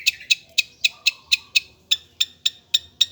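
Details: Long-tailed shrike singing: sharp, dry, clicking notes spaced evenly about four times a second, with a short faint whistle early on and no other clear sounds.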